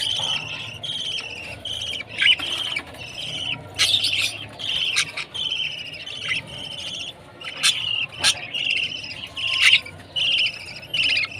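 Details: Young budgerigar at food time, steady trains of short high chirps in clusters, repeated rapidly with brief pauses and occasional sharp clicks.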